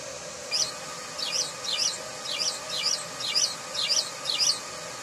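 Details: House sparrow calling in a steady run of loud, harsh chirps, roughly two per second, each one a rough double note. A constant faint hum runs underneath.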